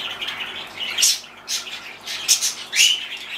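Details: A blue-and-yellow macaw, in a good mood and talking on its own as it does only when happy, gives four short, harsh, raspy bursts about half a second apart, with soft hiss between them, indoors.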